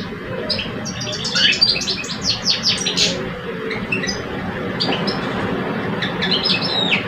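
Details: European goldfinch males, one older bird and one two years old, in a singing duel: bursts of bright twittering, buzzy chirps and quick trills that overlap, with a rough low rumble of background noise throughout.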